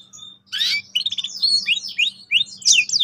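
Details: Canary song aimed at prompting young canaries to roll: a harsh burst opens, followed by quick varied chirps and a string of falling and rising slurred whistles, repeated around three times a second.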